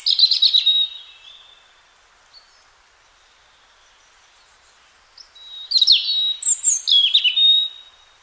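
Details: Free European robin singing in spring: a short, high, sparkling warble, several seconds of silence, then a fresh burst of tumbling high twitters and thin whistles.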